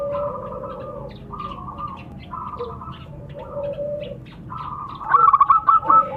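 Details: Pair of local zebra doves, male and female, trading calls: a run of long purring trills from one bird, then a sharp burst of rapid clipped notes near the end.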